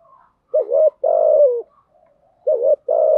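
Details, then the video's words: Cooing spotted dove used as lure: a wavering short hoot then a long, slightly falling coo, repeated; faint soft hoot fragments in between. "Tiếng chim cu gáy mồi giọng lôi cuốn hấp dẫn đủ bài[ THÚC GÙ , GÁY GỌI ]"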